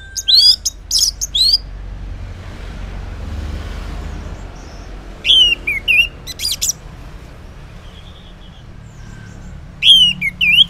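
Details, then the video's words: Orange-headed thrush (anis merah) singing in the morning, a loud ngeplong-style song used as a lure so silent males answer; bursts of sharp, varied whistled phrases with quick slurred notes, separated by pauses of several seconds, over a low steady background hum. "Cocok Buat Pancingan ANIS MERAH Ngeplong di Waktu Pagi Hari Yang Macet yang Bisu Kalo Jantan Nyaut"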